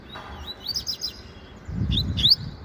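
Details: Meio canto song of a caged coleiro papa-capim (double-collared seedeater), a promising young singer: soft high slurred notes, then a louder pair of rising chirps amid low-pitched background noise.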